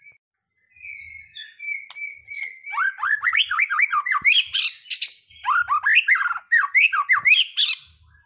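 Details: Song of a white-rumped shama, played to provoke other birds into singing, opens with a few thin high whistles, then builds into dense bursts of sweeping, chattering phrases separated by short gaps.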